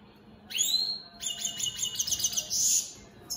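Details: A European goldfinch of the opal split Satane mutation sings: a thin rising note, then a quick run of bright, tinkling twitters with buzzy, nasal notes mixed in. A faint low hum sits underneath.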